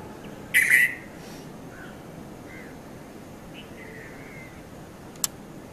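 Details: At Mount Lavinia, Sri Lanka, around 5:30–5:40 a.m., a red-vented bulbul (Konda Kurulla) gives one loud, harsh note, followed by faint distant chirps and a sharp click, captured with a Nikon Coolpix P510.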